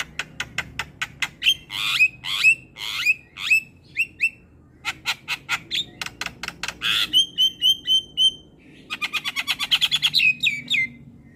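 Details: Black-winged myna in full song, a masteran meant to teach young mynas to sing: rapid series of harsh clicks and squawks interspersed with clear whistled notes, loud and continuous, with bursts of fast rattling chatter.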